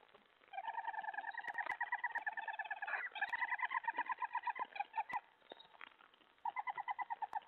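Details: Owl at 3:10 AM on 31 July 2017, twelfth of sixteen food deliveries that night as a mouse arrives; extended quick pulsed chatter, a pause near six seconds, then a fresh burst, with scattered knocking clicks.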